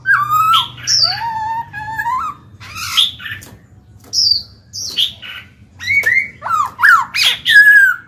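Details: Black-throated laughingthrush in captivity, singing to stimulate wild-caught birds to open up: varied mellow whistled phrases, some rising glides and sharp harsher notes, delivered in loud bursts with short gaps.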